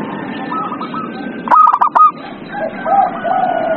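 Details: Zebra dove lure song meant to make a quiet bird start singing; one loud burst of rapid, clipped coos midway, with fainter trailing coo phrases before and after against a hissy background.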